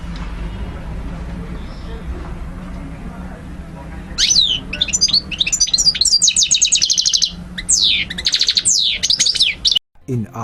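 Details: European goldfinch song for training learners: after four seconds of quiet hum, a lively burst of high twittering, rattling trills and descending slurred whistles runs for about six seconds before cutting off.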